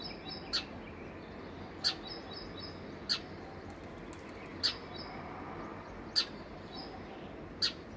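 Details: Sparrows at their home: single short, sharp, high chirps repeated about every one and a half seconds, six in all, over a faint steady background hum.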